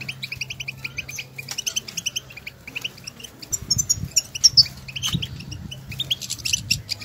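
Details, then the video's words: Wild European goldfinches out in nature calling to one another, a lively stimulating chatter of quick tinkling chirps, thickest around the middle, over a constant low hum with faint low knocks. "افضل بتبتة لتحفيز طائر الحسون"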